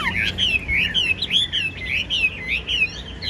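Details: Caged Chinese hwamei with a spread tail, a tamed bird, delivering an unbroken rich warble of looping whistled notes that swing up and down rapidly, with faint low hum behind.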